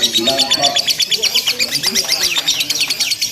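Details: Lovebird in a simulated singing contest, chattering without pause in long bursts: rapid, dense high-pitched chirps repeated about three times a second, with faint lower murmurs beneath.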